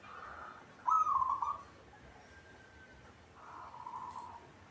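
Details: Local zebra dove kept in a cage and singing actively, giving two rapid, rolling, trilled coo phrases near one pitch, the first softer and the second loud, over low steady background hiss.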